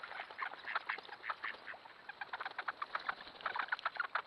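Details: Large mixed flock of wild ducks feeding in a flooded cornfield, trail camera recording; loud nasal quacks repeated in quick, uneven bursts, several birds calling over one another against a hushed background.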